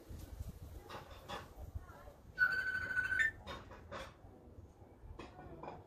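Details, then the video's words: African grey parrot recorded 20 June 2020: quiet speech-like murmurs, then a loud, steady, pure whistled note held for almost a second that lifts slightly at its end, followed by further soft mutters. "AFRICAN GRAY OUT TALKING BIRD"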